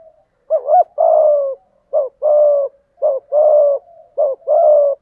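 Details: Low, soft cooing of a spotted dove singing the 'giọng thổ' song with 'thúc gù' phrasing: four short-long coo pairs in steady rhythm, the long notes sliding slightly downward.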